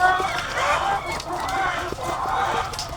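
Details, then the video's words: A farm holding thousands of egg-laying hens, the crowd producing a busy murmur of overlapping clucks and short rising calls, with a few sharp clicks standing out. "The Sound of Thousands of Egg-Laying Chickens"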